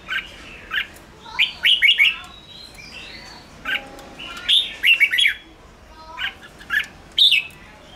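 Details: Red-whiskered bulbul singing in the 'ché' style to provoke wild birds, with clusters of quick, slurred chirps in groups of three or four, separated by pauses of about a second, plus faint high ticks.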